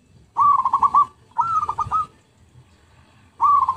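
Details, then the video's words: Zebra dove lure song: repeated short bursts of quick, even cooing notes, three phrases in under four seconds, with brief silent gaps. "MP3 Pikat Merbuk/Perkutut"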